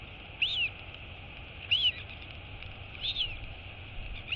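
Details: Female Royal albatross chick wheeing to her mother when the adult comes in to feed her, 23 August 2022. Three clear arched whistles about 1.3 seconds apart, each rising and falling, over steady hiss.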